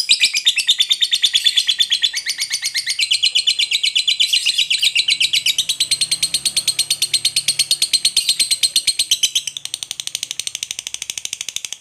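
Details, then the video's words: Lovebird giving a long ngekek chattering song, used as a tutor recording to prompt other birds to sing; rapid high chattering notes, about three per second, run unbroken for nearly twelve seconds and shift slightly higher near the end. "Masteran Love Bird ngekek Panjang || pancingan ngekek langsung gacor"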